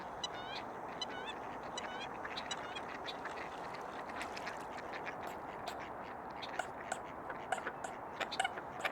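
American Coots give a busy mix of short clucks, grunts and hen-like cackles, several birds overlapping in quick irregular bursts over a steady wetland hiss.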